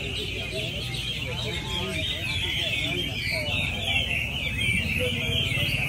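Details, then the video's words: At the Mỹ Đình hwamei singing contest in Vietnam on 19 July 2020, won by entry 37, Chinese hwamei keep up unbroken whistled song, with repeated slurred notes, over loud background talk from the crowd. "HỘI THI HỌA MI HÓT MĨ ĐÌNH 19/7/2020"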